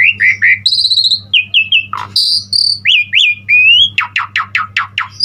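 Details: Jalak suren, or Asian pied starling, in energetic full-repertoire song for tutoring other starlings: clear whistled notes and high trills, then a quick series of descending buzzy strokes over a low background hum.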